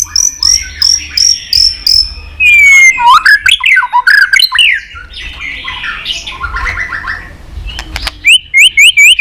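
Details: White-rumped shama in provoking fighting song: a string of high repeated notes, then sweeping whistles and harsh squawking phrases, ending with quick upward-flicked notes repeated about four times a second.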